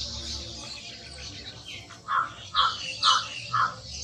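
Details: Cotton pygmy goose in India giving four short, harsh, nasal calls spaced about half a second apart, over a steady high-pitched insect drone and low background rumble.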